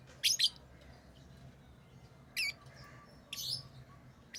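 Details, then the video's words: Lovebird chirping: a quick pair of loud, harsh, high chirps, then single raspy calls after a pause, the last one drawn out slightly, with a soft low hum behind. "Love birds Sounds | lovebirds chirping sounds"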